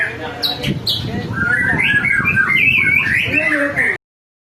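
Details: Song of a white-rumped shama used to lure other birds into song: brisk run of bright whistled notes and rapid warbling phrases at a quick steady pace, ending abruptly, with low background murmur.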